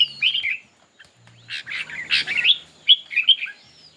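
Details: Red-whiskered bulbul singing in a contest: loud, liquid whistled phrases at the start, then harsher buzzy bursts, followed by sharp ringing notes and a quick warbled flourish.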